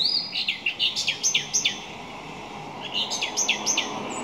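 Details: A song thrush repeats a short down-slurred phrase rapidly, about eight times. After a brief pause it begins a second run of the same quick repeated notes.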